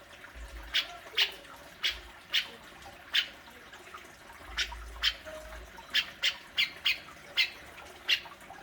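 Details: Grey-cheeked bulbul, played to spark calling in a caged bird: sparse, rasping single notes that become a denser burst of chatter toward the end, with a low hum throughout.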